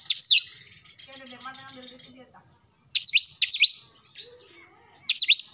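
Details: Oriental magpie-robin singing in the morning: short bursts of sharp, sweeping high chirps and rapid trills, separated by pauses, with a faint low humming sound in between.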